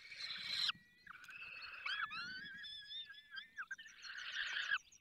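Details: At a falcon nest in the Barycz Valley during feeding, a hoarse screech is followed by quieter, wavering tonal wails and another rasping burst, with a faint rapid ticking.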